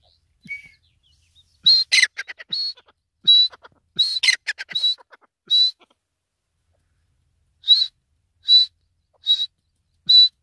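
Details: Grey francolin (Francolinus pondicerianus), call.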